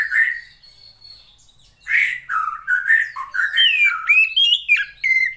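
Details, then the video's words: Female Oriental magpie-robin, a cage bird, singing to stimulate males that are reluctant to sing: varied whistled and squeaky notes, slurred rising and falling phrases after a brief opening note and a pause, ending in a clear whistle. "SUARA KACER,POCI BETINA,terapi untuk memancing burung jantan yang males bunyi"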